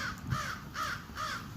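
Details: A crow in a backyard gives a warning call, seemingly alerting to a man approaching, after crows attacked a blue jay: four harsh, nasal caws, one about every half second, over a low background rumble.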